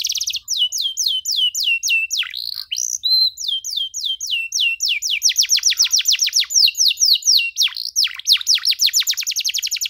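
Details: Canary singing long ornate phrases as a lesson for young canaries: a continuous stream of fast falling whistled notes, brief varied slurs, and accelerating rapid trills toward the end.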